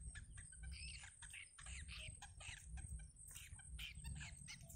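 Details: Nestling yellow bitterns clamouring as their mother feeds them in a wild nest; busy stream of harsh, squeaky chirps and sharp clicks, fairly continuous, over a low droning background.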